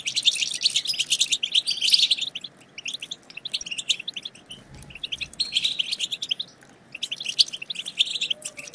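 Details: European goldfinch group twittering (batbata), used to stimulate other goldfinches into song: dense bursts of high, rapid chattering twitters in bouts of about two seconds, separated by brief quieter gaps.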